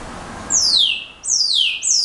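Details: Brown-backed solitaire giving three bright, very high whistled phrases, each sweeping smoothly downward, separated by brief pauses.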